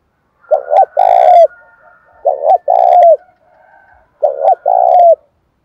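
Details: Spotted dove roused to fight in the seventh month amid wind and rain, with a local-voice style of cooing: three loud, low cooing phrases, each a short doubled note then a long, falling coo, with a thin whistle behind.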